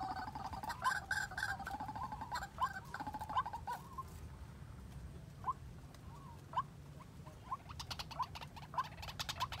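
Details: A White-breasted waterhen used as a decoy in bird trapping gives short, hoarse mid-pitched notes, repeated at uneven intervals, over steady rustling and clicking.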